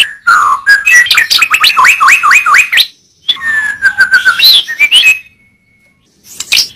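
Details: White-rumped shama song for bird training: a rapid run of rising hooked notes, then a long level whistle and busy trills, a pause, and a final sharp high phrase.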